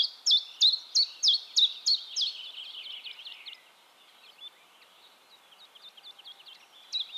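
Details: Singing common chiffchaff recorded in Heemskerk, the Netherlands, with a RØDE VideoMic. Six loud, evenly spaced high notes go see-sawing along, then quieter, quicker notes trail off, and a faint phrase returns near the end.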